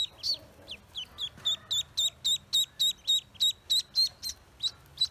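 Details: Newly hatched Pekin ducklings on a farm give high, thin peeps with a sharp downward-then-level shape. About three to four peeps come each second in a steady, insistent run.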